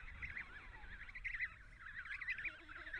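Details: Emperor penguin chick calling in Antarctica: a sustained, quavering, warbled whistle with fast up-and-down pitch wobbles and brief brighter peaks, over low wind-like rumble.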